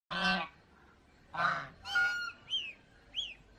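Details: Domestic geese at Planet Earth Aquarium, Mysore, giving harsh, nasal honks, two loud blasts about a second apart, followed by a shorter honk and thin, arched whistled notes rising and falling.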